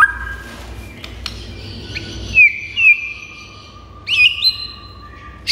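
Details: White-rumped shama singing hard, meant to provoke other shamas into answering and raging: sparse clear whistles, a few bright slurred notes, and one long steady whistled tone, broken by short pauses over a quiet background.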